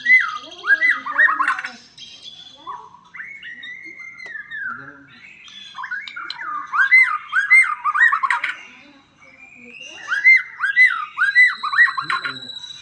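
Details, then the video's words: White-rumped shama in full, varied song: rapid strings of loud whistled notes that swoop up and down, with harsher squawky phrases mixed in. The song comes in three bursts separated by softer warbling. "suara burung murai auto gacor"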